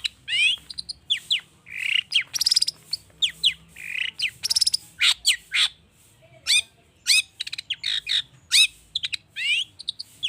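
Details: Long-tailed shrike, an excited bird with a rich mimicry-filled song, used as a lure to get other birds singing: a dense, nearly nonstop run of sharp chips, downslurred whistles, buzzy notes and rapid rattling trills.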